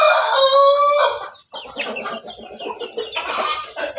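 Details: Backyard Pelung-Bangkok cross rooster opening with a strong, drawn-out, tonal crow, then breaking into a jumble of quieter chuckling notes after a brief pause.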